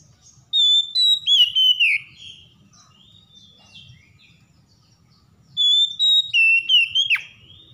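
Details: Oriental magpie-robin, a stressed bird provoked into singing: two loud bursts of varied whistled phrases, with clear sliding notes, warbles and sharp high chips, separated by a few seconds of quiet low background noise.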